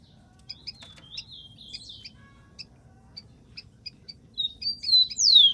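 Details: Rufous-collared sparrow recorded in the wild: soft twittering notes and short chips build into a loud, high whistle sliding sharply downward at the close.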